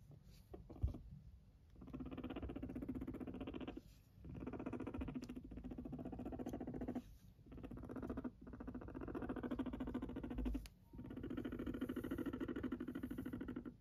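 A Silkie guinea pig purrs in low, rapidly pulsing rumbles that come in bursts of a few seconds.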